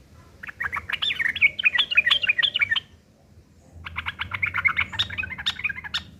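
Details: Harsh fighting song of a sooty-headed bulbul, used as a lure so other birds answer. Two long bursts of rapid, scratchy, tumbling chatter are split by about a second of quiet, with a faint low hum underneath.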